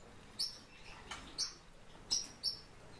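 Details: Captive warbling white-eye giving four brief, piercing high tweets in two spaced pairs over a quiet background, with one soft scratchy rustle.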